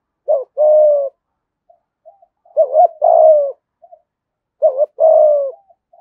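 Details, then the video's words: Spotted dove cooing, 'giọng thổ' gù thúc style, a lure call for wild doves: three low phrases about two seconds apart, each a short wavering note then a long falling coo, faint soft notes in the gaps. "Tiếng chim cu gáy giọng thổ Gù Thúc giọng hay, tiếng thổ hạp bổi nhanh về cội"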